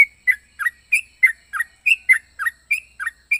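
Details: Yellow-vented bulbul with a strange, varied voice repeating bright, warbled two-part chirps at a steady pace, roughly three each second, alternating higher and lower notes in a clean, quiet setting.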